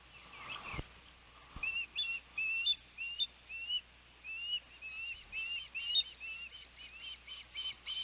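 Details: Osprey at a Savannah nest during a first fledge on a windy June 12, 2021; thin, upslurred whistles repeat roughly every half second, with a couple of dull knocks early on.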